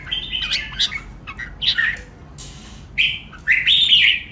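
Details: Red-whiskered bulbul in competitive singing to rouse caged birds; scattered chirps and short whistles, ending in a long bright warbled phrase.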